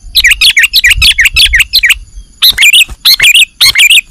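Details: Sooty-headed bulbul lure for bird catching in Indonesia: a rapid string of about ten lilting, bubbly notes, a pause, then louder chattering phrases, with low rumbling noise underneath.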